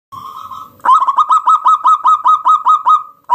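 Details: Local wild zebra dove singing to lure other doves into calling: a soft opening coo, then a loud, steady run of about a dozen clipped, hollow notes at even spacing, ending with another sharp note.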